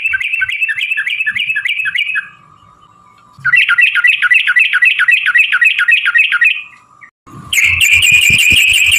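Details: Long rapid song of a yellow-vented bulbul, played to provoke other bulbuls into replying. Fast repeated warbling notes run for two seconds, a pause with a thin steady tone, then another lengthy run and a harsh burst.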